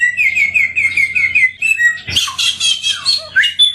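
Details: Endemic samyong bird with a sweet voice. It opens with a run of even, repeated whistled notes, then shifts abruptly into a loud, harsh, chattering phrase with sliding notes.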